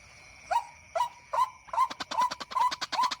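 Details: White-breasted waterhen calling at night in reply to a played recording used for hunting: spaced, hoarse upward notes that quicken into a tight repeated series, a steady background hum throughout.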